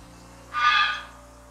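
A Greylag Goose gives a single harsh, nasal honk lasting about half a second, over a faint, steady low hum.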